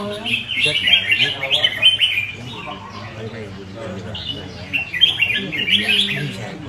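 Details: Red-whiskered bulbul singing in quick bursts of bright, chattering warbles, high and rapidly varied, in two main phrases separated by a short pause; a man talks over the birdsong throughout.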